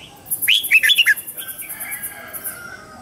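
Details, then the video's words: Red-whiskered bulbul morning song used to train young birds: a quick phrase of four to five swooping whistled notes, accompanied by a steady series of thin, very high ticking notes throughout. "Luyện giọng chào mào hót sáng hay nhất để luyện má trắng"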